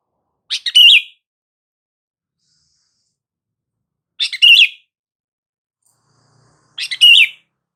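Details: Calling sound of a sooty-headed bulbul, used to make silent bulbuls respond: three brisk chirp-and-whistle phrases spaced about three seconds apart against silence.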